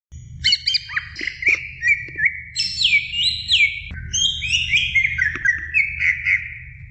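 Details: Female greater green leafbird calling the male: bright whistled notes and rich warbling phrases with sweeping slurs, dense and continuous, over a faint low hum.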